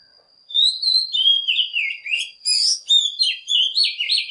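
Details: Oriental magpie-robin lure song meant to provoke other birds to sing: continuous sweet, slurred whistles rising and falling, with a steady faint high tone behind.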